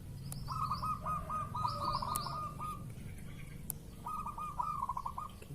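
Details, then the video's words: Zebra dove cooing, used as a lure sound to provoke a response from a bird in breeding mood: two long staccato, rolling coo phrases near the same pitch, separated by a short pause, with faint higher chirps from other birds and low background rumble. "PANCINGAN BURUNG PERKUTUT MANGUNG"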